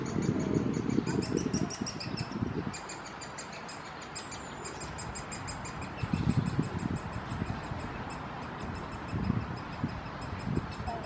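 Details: Great spotted woodpecker chick, high in an ash tree in a park, keeps up a high, thin, rapid begging chatter, several notes a second, as the male parent feeds it; low rumbling bursts of wind or handling noise.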